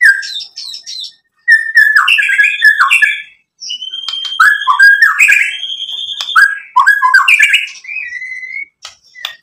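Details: White-rumped shama song for provoking a reply: varied bursts of scratchy chatter and rich slurred whistles, a held clear whistle midway, phrases separated by short silences.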